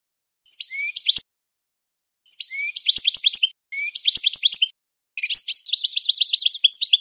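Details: European goldfinch training song: short phrases of liquid twitters separated by brief pauses, building into a longer, faster stream of jingling trills.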